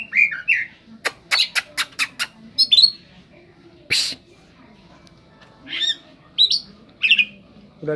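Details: Oriental magpie-robin song with fill-ins modelled on the cetdet bird: a quick run of dry clicks, a noisy burst, then scattered upslurred whistles separated by quiet gaps.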